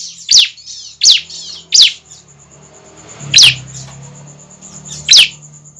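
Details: Young bar-winged prinia giving a lure call: five piercing down-slurred chirps, three in quick succession and then two more after a pause, over a faint low hum and a constant high-pitched whine.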